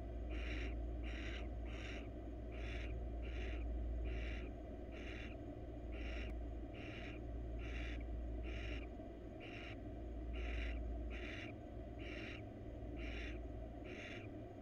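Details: Wild female barn owl in a monitored research nest box, crawling about and seeking attention, gives harsh broadband hissing bursts repeated roughly every half second over a steady low hum.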